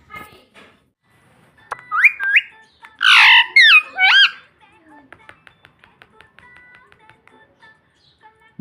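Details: Pet green ring-necked parrot talking indoors, saying "mitthu mitthu"; a few short rising and hooked squawky syllables around the middle, then quiet clicks and small taps.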